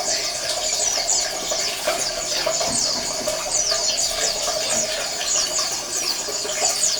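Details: Oriental white-eye colony chorus played to make silent males sing: many birds trade rapid, high, slurred chirps in a continuous jumble, with a constant mid-pitched hum and hiss underneath.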